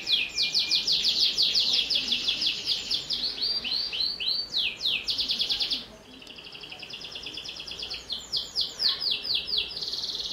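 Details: Canary in full 'gacor' song, meant to prompt young canaries to sing: a long run of rapid repeated high notes and swept phrases, a short quieter dip, then more rolling trills.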